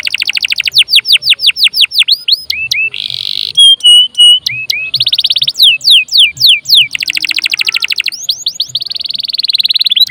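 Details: Energetic canary song meant to lure other birds into singing or serve as their tutor; rapid pulsed trills alternate with lower steady whistles and buzzy bursts, changing phrase every second or so.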